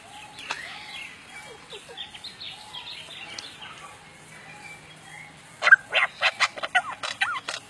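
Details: Lyrebird mimicking sound effects such as lasers and other birds' calls: a soft medley of varied chirps and whistles, then a loud run of sharp, repeated notes about every quarter second, with a faint background hum.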